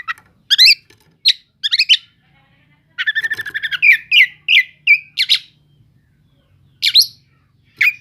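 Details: Kacer cele'ngan Oriental magpie-robin song used to provoke other magpie-robins: scattered sharp chips, then a rapid rattling run of notes followed by separate slurred whistles and pauses, with a faint low hum underneath.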